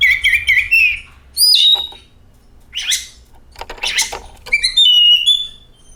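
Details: Oriental magpie-robin singing, meant to spur other magpie-robins into song: a fast warbled trill opens, then a high whistled slur, two scratchy harsh bursts and a final series of thin whistled notes.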